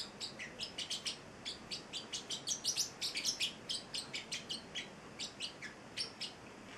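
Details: Male Celestial Parrotlet chick of eight weeks, a pet, chirping in a steady rapid series of bright, clipped high notes, about three per second, with a few brief pauses.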